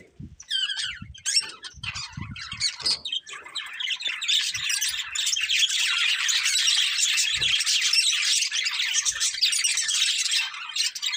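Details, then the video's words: Colourful budgerigars, a breeding pair kept as pets, chirping: dense, continuous high chatter of squawks and warbles that starts patchy then fills the clip, with a few low thumps early on. "Colourful Budgies Chirping Sounds"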